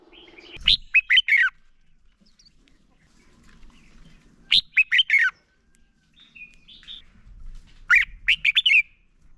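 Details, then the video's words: Lure song of a male red-whiskered bulbul, meant to set other bulbuls singing: the same lively four-note warbled phrase repeated three times, roughly every three and a half seconds, with faint low noise between. "Chào Mào Hót - Chào Mào Kích Trống Lên Lửa, Kích Chim Sổ Giọng Hót Sáng. Luyện Chào Mào Hót Đấu Căng"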